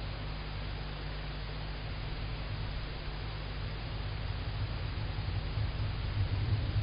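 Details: Steady hiss and low rumble at night, with no animal call.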